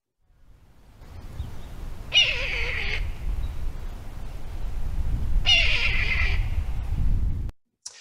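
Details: Red-tailed hawk gives two hoarse, raspy, downslurred screams about three seconds apart, the call often dubbed over eagles in movies, over a steady low room rumble.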